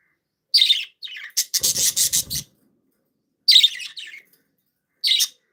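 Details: Happy, playful pet budgies chirping: high, bright chirps and short warbling bursts in clusters, with a dry scratchy rubbing noise in the middle.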